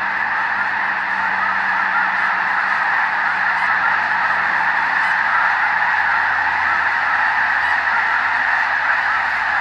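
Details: Huge flock of snow geese at the Hayton Snow Goose Reserve near Conway, Washington: hundreds of nasal, yelping honks merging into a steady, unbroken roar with no pauses.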